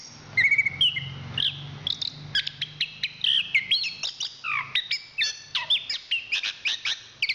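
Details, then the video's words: Chestnut-capped thrush, a national champion from Southeast Asian forest stock, singing a busy sequence of sharp staccato chips interspersed with whistled slides and short wavering notes, over a faint low hum. "Suara Kicauan Burung Anis Kembang Juara Nasional"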